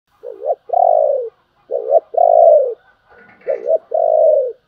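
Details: Spotted dove giving the Vietnamese thúc and gáy gọi cooing styles, used to stimulate trained decoy doves. Each phrase is a short wavering coo followed by a longer drawn-out one, repeated three times about every 1.5 seconds.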